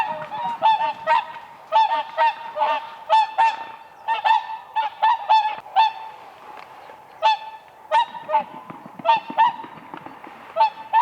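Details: Whooper swans (Cygnus cygnus) dancing on ice on a lake in spring: loud brassy trumpeting honks given in rapid overlapping bursts by several birds, two or three calls a second with brief pauses.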